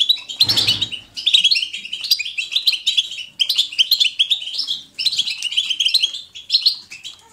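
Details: European goldfinch batbata, natural and vigorous, picked to encourage goldfinches to sing: a low dull thump early on, then rolling bursts of bright chattering twitters and liquid trills.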